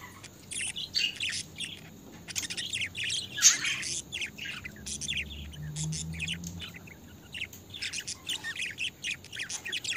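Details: Pet budgerigars kept together, several birds chattering: a busy mix of high squeaky chirps, warbles and occasional sharp squawks overlapping almost continuously.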